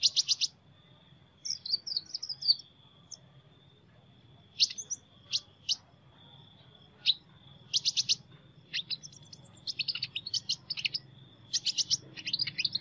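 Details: Sunbird heard in an unusual song: brief clusters of piercing, high metallic notes and quick twitters come at irregular intervals, with a steady faint high-pitched tone and low hum behind them.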